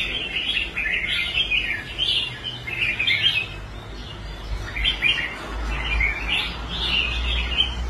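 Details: Rehabilitated contest red-whiskered bulbul in a cage performing on the competition rack, giving rich, bubbling warbled phrases about once a second, some rising and falling, over low-pitched background rumble and faint handling noise.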